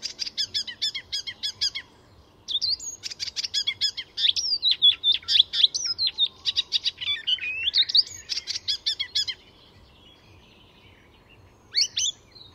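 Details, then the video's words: Icterine warbler in full song at Fysingen reserve, Sweden, mimicking many species: a long loud outpouring of fast rattling notes running into slurred, swooping whistles, a pause, then one final burst. "Icterine Warbler in full song; A master of mimicry…"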